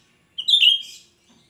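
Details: Shrill single phrase from a lively cucak rante, used as lure song: one loud, piercing whistle sliding downward with a buzzy tail, lasting under a second against silence.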